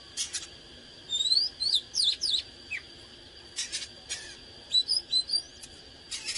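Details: Excited oriental magpie-robin song (căng lửa): rising whistled notes and sharp downslurred chips in two clusters, separated by short broadband clicks and a quiet gap.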